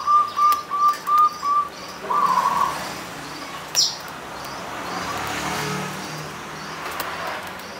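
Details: Zebra dove (perkutut punden) singing on the slopes of Mount Slamet, Banyumas: a run of short, evenly spaced mid-pitched cooing notes, then one longer drawn-out coo, over a steady background hiss with a faint distant chirp.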